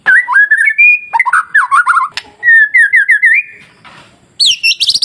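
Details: White-rumped shama masteran song for stirring timid shamas into singing: bubbling whistled warbles and steady level whistles in long phrases, a sharp click, then a short high squeaky trill.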